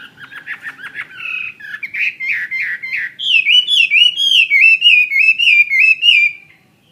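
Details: Fighting-type Chinese hwamei, a captive bird, opens with a rapid rattling chatter. It then moves into loud, slurred, looping whistles repeated about three times per second. There is no other sound.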